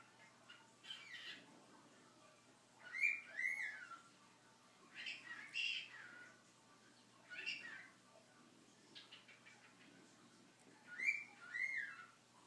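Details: A normal gray male cockatiel says "pretty bird", repeating the short phrase in scratchy, squawky bursts that imitate human speech.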